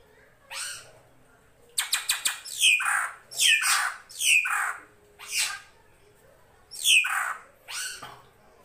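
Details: Drongo, called srigunting krantil, on a master recording for training songbirds: a few fast clicks followed by a series of harsh, descending buzzy squawks at irregular spacing, roughly one per second.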